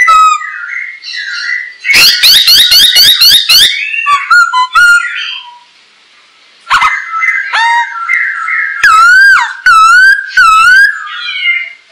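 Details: Masked laughingthrush song used as a lure for training birds: dense overlapping whistles and harsh rattling notes, a pause, then loud slurred whistled phrases rising and falling.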